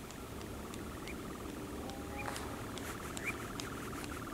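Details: Two male European nightjars at Coombe Heath, RSPB Arne, on 28 June 2018 after sunset, around 21:54 BST, hunting flying insects. A steady, rapid mechanical churring trill runs throughout, with a few brief higher chirps and clicks over faint background noise.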